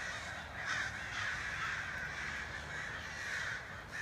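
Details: Crows calling together at dusk, with many birds circling and roosting in one tree. Ragged, overlapping caws merge into a constant raucous din, with a few louder calls standing out near the start and end.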